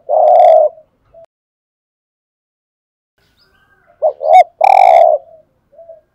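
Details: Decoy spotted dove giving its urging coo to attract wild doves: one sustained throaty coo, a long silence, then two fast dipping notes and a loud extended coo trailing into a soft final note.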